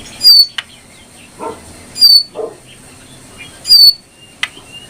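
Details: Brown prinia (jongkangan coklat) sings loud, sharp, very high notes that sweep steeply downward. One note comes about every 1.7 seconds, with softer chips and clicks between. There is a faint low hum in the background.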